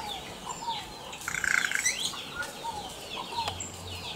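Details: Wild yellow-rumped cacique song: a rapid buzzy rattle in the middle, surrounded by sliding whistles and liquid slurred notes over steady background hiss.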